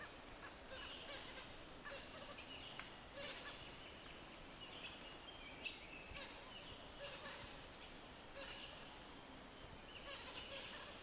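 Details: Visayan hornbill, a bird endemic to the Philippines, gives harsh, cackling bursts of calls about every two seconds over a low background hiss.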